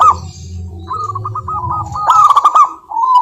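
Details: Lure song of a local zebra dove for stirring silent doves into song: a series of short rolled coos building to a loud rapid staccato burst, then a soft closing note, over low humming.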